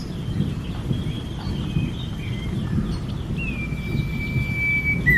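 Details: Common iora (cipo) from a master recording for training songbirds: after faint thin notes, one long level whistle ends in a downward slur near the close, partly masked by strong low rumbling noise.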